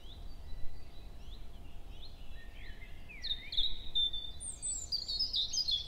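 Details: Robin singing in early May, 7 a.m., woodland at Hoher Peißenberg; soft thin slurred whistles first, then a louder rising and descending sweep leading into a bright, very high jingling flourish at the close.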